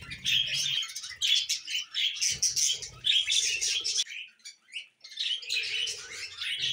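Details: Budgerigar chatter in loud bursts of squeaky chirps and buzzy warbles, broken by short near-silent gaps, with faint low rustling underneath.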